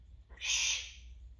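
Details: Single harsh, broad squawk lasting about half a second from a chatty pet male Timneh African grey parrot, a variety smaller than the Congo grey, over faint room hum.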